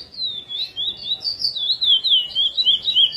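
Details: Curió, chestnut-bellied seed finch, singing the praia style in a recording edited for song tutoring; clear whistled notes glide and wobble in a steady flowing phrase, roughly three notes per second, over quiet background.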